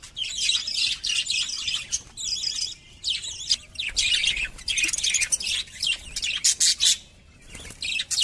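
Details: Pet budgerigars chatter while playing, a happy sound: a fast, continuous stream of high chirps and scratchy warbles.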